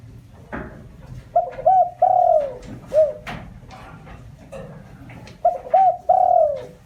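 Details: Spotted dove used as a lure calling to stir wild doves: two cooing phrases, each with stuttered notes and a long soft coo, the first ending in a short extra hoot, amid light tapping sounds.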